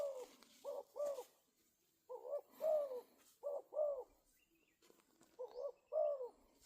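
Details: Spotted dove giving low, mellow hooting coos in short groups of two or three, each note slightly rising then falling, with pauses of about a second between groups; faint background hiss.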